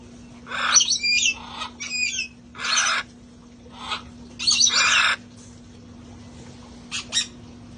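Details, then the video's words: Rescued parrots enjoying life outside. Loud rough screeches overlap in a rapid cluster for about five seconds, then fall to two short chirps. A low steady hum runs underneath. "sounds of parrots having fun outside"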